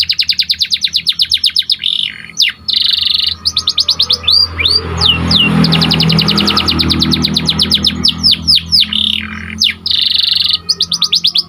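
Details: White panda canary singing continuously: dense rapid rattling trills, short buzzy rolls and sweeping down-slurred whistles, repeated about four times per second, with a soft low rumble in the background.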